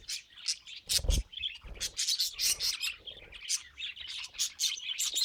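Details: Budgerigars kept as pets give rapid bursts of sharp chirps and warbled chatter in pulses about every half second, with low thumps early on.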